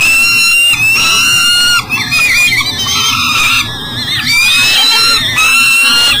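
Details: A peregrine falcon with breakfast that cannot get into the nest box, Elk River, Minnesota, early morning in July 2012. Its call is a continuous, loud, harsh wailing with wavering, bending pitch and few breaks.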